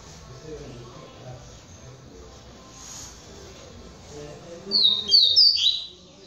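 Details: A captive male breeding double-collared seedeater (coleiro, Polish line) bursts into a quick run of high, sharp twittering notes lasting about a second after a quiet stretch with faint background murmur; Double-collared seedeater song.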